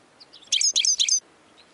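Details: European goldfinch song fragment in a bird-training recording: a short burst of three clustered high, tinkling chirps lasting under a second, against a quiet background.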